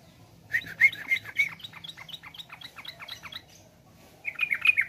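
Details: Sooty-headed bulbul song, in a comparison of young and adult birds: a series of bright, bubbly chirping notes in a loose run, a short lull, then another burst of louder liquid notes.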